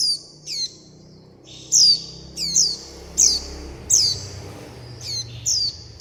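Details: Young warbling white-eyes begging for food and calling their mother and flock: rapid, uneven series of high, sharply falling chirps, often paired, joined by thin buzzy notes, over a soft low background hum.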